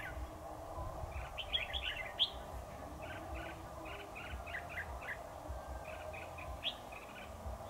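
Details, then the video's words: Decoy red-whiskered bulbul singing to draw a rival into a trap: repeated short bubbly chirped notes in quick clusters, steady over a constant low hum and faint background noise. "Bẫy chào mào Đại ca một vùng"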